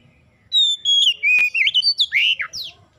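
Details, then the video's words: Oriental magpie-robin song used as a lure to get untrained magpie-robins singing quickly: a long clear whistle, then a run of sweet slurred and warbling notes with several sharp downward strokes, about two and a half seconds in all. "PANCINGAN Kacer bahan cepat gacor"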